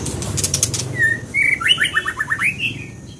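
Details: Scarlet minivet song: a clear whistled note, then a rapid descending series of slurred whistles ending in an upward flourish, after a few sharp clicks at the start.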